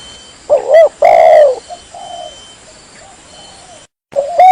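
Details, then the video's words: Lure recording of a spotted dove (tekukur kampung, derkuku) meant to make other doves answer: one hollow three-part coo with a stretched final note, quiet soft murmurs afterwards, then a brief silence and the start of another coo. "Tekukur Kampung "GACOR" Sang Pemancing bersuara dan Untuk Pikat"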